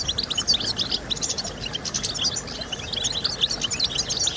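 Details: Goldfinch song for stimulating singing in kept birds: a fast, unbroken stream of bright chirps and trills, busy and overlapping throughout, over a faint low hiss.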